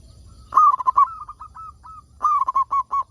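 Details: Singing local zebra dove, a recording meant to coax other zebra doves into song: two loud bouts of quick, bubbling staccato coos, separated by fainter evenly spaced single coo notes.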